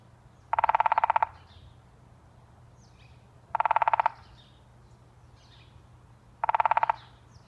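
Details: A pileated woodpecker works on an apple tree on Fidalgo Island, Washington State. Three rapid, even rolls of ringing knocks, each under a second long, come about every three seconds over quiet outdoor background noise.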